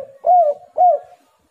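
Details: Spotted dove call for luring rival doves, two smooth mellow coos in quick succession, each rising then sliding down, under a second apart, on a quiet background.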